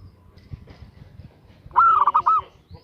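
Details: A female zebra dove calls to a male with one rich, rapid burst of mellow, rolling coo notes after a stretch of soft low background sounds.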